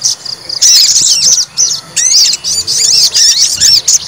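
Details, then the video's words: Fighter white-rumped shama, provoked to test its nerve, gives loud bursts of sweet, sharply modulated whistles and ringing slurred notes, phrases lasting under a second with brief breaks between. "PANCING EMOSI TES MENTAL FIGHTER SOGON"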